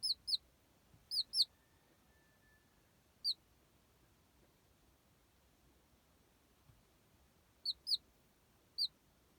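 Baby chickens give high, thin peeps that slide downward, in single notes and quick pairs.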